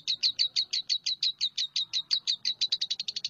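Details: Lovebird giving a fast series of sharp, high, clipped chirps, about three per second, evenly spaced at first and then quickening and softening near the end; faint low background murmur.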